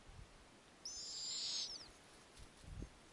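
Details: Snowy owl owlets, eight of different ages, in an Arctic nest on a warm summer night as the female returns with a lemming: one drawn-out, high, hoarse hissing screech lasting about a second and trailing off, with faint low thumps around it.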